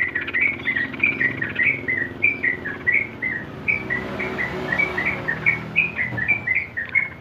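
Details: Sooty-headed bulbul in ropel song style, played to coax caged birds into singing: an unbroken string of brief whistled notes, each slurring up or down, delivered quickly and evenly over a low background hum.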